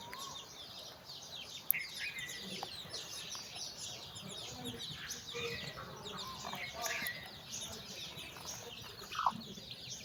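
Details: A hen calls her babies to walk with her as the chicks play. Low, repeated clucks sit under busy high-pitched peeping from many chicks, with a sharp click near the start and a brief louder note near the end.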